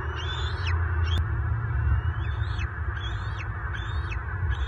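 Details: Bald eagles clashing near a nest in southwest Florida, March 2023, an adult intruder pursuing the resident male; a series of high, squeaky whistled notes with falling tails, roughly every half second, above heavy low rumbling noise and one sharp click.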